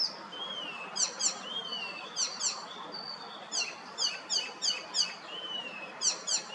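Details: Icterine warbler singing in June in Hrodna city, western Belarus, near a primary school building: a varied, rapid song of sharp high repeated notes and drawn-out whistled slurs, given in bursts about every second over faint background noise.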